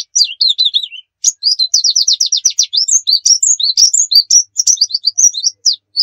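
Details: Lure song of a white-eye, 'nembak' master style: a falling whistled phrase, a pause, then long fast series of high chirps and looping whistles, steady and loud, no other sound.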